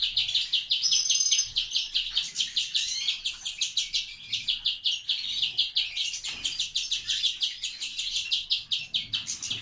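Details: Grey-wing mutation greenfinch, bred in captivity, gives a long, steady rolling trill of rapid repeated chirps, several per second, holding on without a break.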